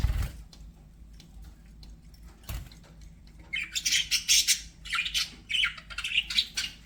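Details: Pet budgie quiet at first apart from a couple of low bumps, then launching into lively bursts of squeaky, raspy chattering that continue to the end.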